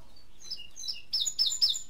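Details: Indigo bunting, called azulejo de Cuba, in its first season, giving soft, spaced high notes that build into a louder burst of paired, sharp chirps near the end, against a quiet background.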